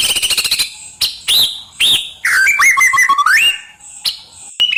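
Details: Gacor white-rumped shama singing isian song: a quick stuttering note series, then separate upslurred whistles, then a tumbling run of rich warbled notes ending in a rising whistle.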